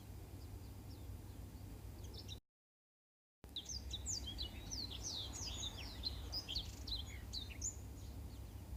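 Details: Black-throated canary model song for canary training: faint high notes at first, then after a short silent gap a busy run of rapid, sharply swept whistles.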